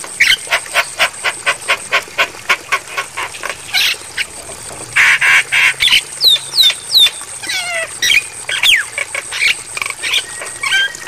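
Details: Training material for Javan myna, intended for night playback: a long run of regular harsh clicks and chatters, then loud raspy bursts and sharp downslurred whistles, over a constant high-pitched hiss.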